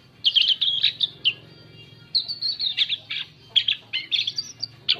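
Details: Asian pied starling producing varied song used to lure other birds: clusters of squeaky whistles and chattering trills, a pause, then another rapid burst of mixed whistled and rasping notes.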